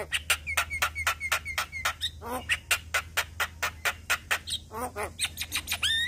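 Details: Young Asian pied starling in untiring all-day song, delivering quick, regular clicking notes roughly twice a second with short whistled tones and occasional downward buzzy slurs, over a low steady hum.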